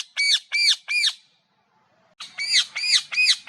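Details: Parrot giving loud raspy arched squawks in quick series, three in a row, a short pause, then five more at roughly three per second; faint background noise.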